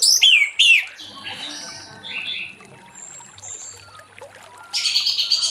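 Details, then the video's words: Late-afternoon ngeplong song of an Orange-headed thrush, played to draw other thrushes into singing. Two loud swooping whistled notes open, followed by softer warbling and faint chirps, ending with a dense, buzzy high-pitched flourish. "Anis Merah Ngeplong Sore Hari💥Pancing Anis Merah lain Cepat Bunyi"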